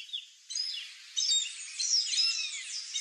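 Chestnut-eared Aracari giving a run of high, squeaky, shrill notes that overlap into a busy chatter over about two and a half seconds.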